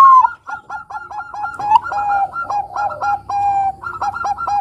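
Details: Zebra dove of the Bangkok type singing steadily, used to lure young doves into song: a long series of quick, evenly repeated clipped cooing notes with a few longer held tones between them.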